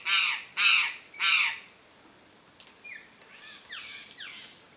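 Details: A wild, free-living Chestnut-eared Aracari gives three loud, harsh, raspy calls about half a second apart, followed by faint thin whistles and chirps from other birds.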